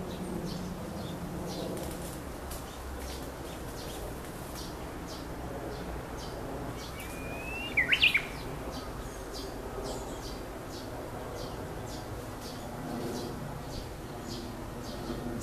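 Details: A Japanese bush warbler in an ecological garden sings once midway: a brief sliding whistle leading into a fast, higher flourish. Steady background noise and faint ticking sounds come before and after.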